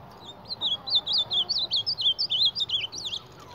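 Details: Ultramarine grosbeak confronting a mirror, delivering a brisk series of high, twisting whistled notes, about four per second, clear over a quiet background.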